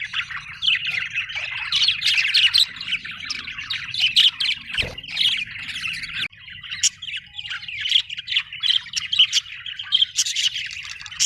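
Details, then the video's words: Happy budgie chirping: an unbroken chatter of high, scratchy warbles, sharp chirps and squeaks. A sharp click about halfway through is followed by a brief dip before the chatter resumes. "happy budgie chirping sound"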